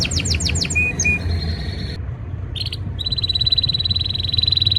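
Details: Male canary song in breeding season, aimed at a female: quick falling sweeps, a brief flat whistle, a short pause, then a dense rolling trill held steady at high pitch with low hum beneath.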